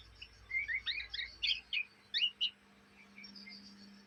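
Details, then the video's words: Oriental magpie-robin youngster from Kalimantan, Indonesia, chattering ngriwik-style day and night: a short burst of quick whistled chirps and slurred twitters lasting about two seconds, followed by quieter faint notes. "kacer bahan ngriwik siang malam"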